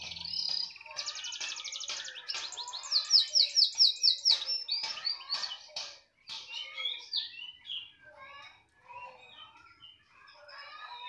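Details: Canary singing energetically, a continuous high song of fast rattling trills and buzzy rolls, then sharp clicking notes and softer warbled phrases toward the end.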